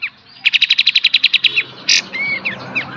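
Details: A brief beset and tembak passage from a kapas tembak master song for cage birds: an even rattle of about thirteen notes, one loud burst, then soft whistled slurs over a murmuring background.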